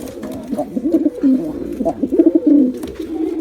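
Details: Male and female pigeons making soft, burbling coos in a continuous low warble with small rhythmic pulses, recorded up close.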